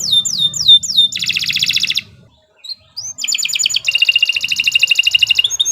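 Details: Canary of the Kenari Nusantara type in full continuous song: a few sharp downward-swept whistles, then a buzzy rapid trill, a brief near-silent pause with a stray chirp, and a long, fast, even rolling trill.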